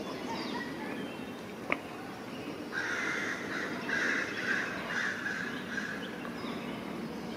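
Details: Crows mobbing a great horned owl in a forest, diving close to it; a sharp knock, then a run of loud, harsh caws in a tight uneven series that fades near the end.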